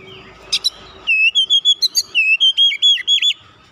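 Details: Oriental magpie-robin performing ngeroll rapat, a tight rolling basic song: two short sharp notes, then a rapid string of bright whistled notes lasting over two seconds, with some dipping slurs near the end.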